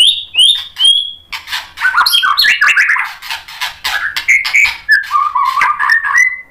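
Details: Provoked white-rumped shama pours out a fast mix of high pure whistles, then scratchy chattering notes and lower slurred phrases, a busy, loud medley of its repertoire with no real pause.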